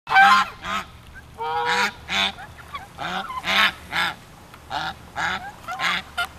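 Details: Geese at a hilltop ranch giving loud nasal honks, about ten bursts in six seconds, some overlapping from several birds, with a low steady hum beneath.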